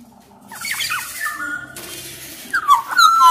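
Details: Black-naped oriole of Sumbawa origin, sung to get other orioles singing: softer slurred whistles over a hissy background, then loud, clear, fluty whistles at the end.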